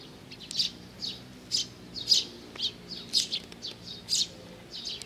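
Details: Eurasian tree sparrows waiting to be fed at Mizukami Bridge, 4 June 2020; clear single chirps spaced about a second apart, each short and bright, against a quiet background.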